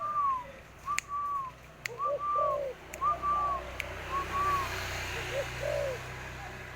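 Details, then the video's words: Tame spotted dove playing with a hand, with a series of high arched whistled notes, each followed by low, mellow coos, plus a few sharp taps and a faint background hiss. "bunyi burung tekukur"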